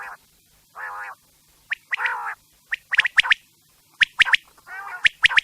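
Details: Quail calls meant for night use: sharp chirps grouped in twos and threes alternate with low, buzzy, drawn-out notes, all repeated through the recording.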